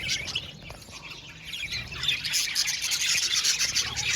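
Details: Budgerigar aviary colony, softer scratchy chatter at first that swells into loud, buzzy twittering and squeaky chirps from many birds.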